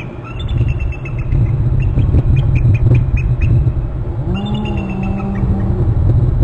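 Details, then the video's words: Bald eagles calling at their nest territory on Hornby Island as one flies in from inland and lands near the nest. Both call: quick high chittering notes in a tumbling series, then a drawn-out lower tonal note, over constant low rumbling background. "eagle from inland right calling as lands on upper right of bst both calling"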